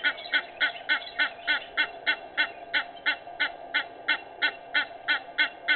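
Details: Egyptian goose recorded at 06:25 on 18 May 2019, giving a fast series of hoarse, nasal honks, about three per second and fairly even, with a steady background hum.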